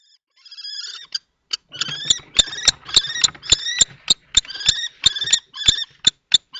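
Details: Common kestrels at a nest box in Théding, France, 20 March 2024, during a confrontation between a young and an adult male. Faint thin whines open, then clicking taps mix with loud, clipped, high wavering notes.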